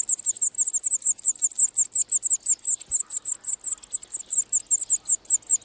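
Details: European serin at a nest in open countryside in spring 2018, one of the season's first clutches; a continuous run of very high, sharp, tinkling notes repeated several times a second, buzzy and insect-like, with brief uneven pauses.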